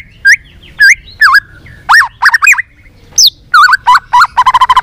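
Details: White-rumped shama, song for encouraging other shamas to sing: a series of clear looping, rising and falling whistles ending in a fast stuttering trill of about eight notes.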